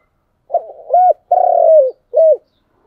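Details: Spotted dove cooing in the chiêu and thúc styles: a soft burbling start, a rounded short coo, a sustained descending coo, then a final brief arched note in a quiet setting.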